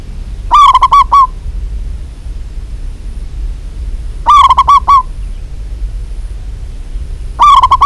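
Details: Female local zebra dove calling to a male: loud repeated cooing phrases of four or five quick clipped notes, each phrase about three seconds apart, against a quiet low hum.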